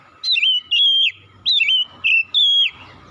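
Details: Oriental magpie-robin's morning song: five bright whistled phrases in about three seconds, each swooping down then holding steady, over a faint steady low hum.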